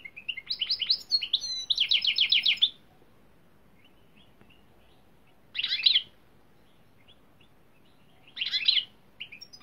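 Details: European greenfinch song recorded in Turkey for training: a long opening run of rapid repeated trilled notes for nearly three seconds, then two short chirping bursts after silence.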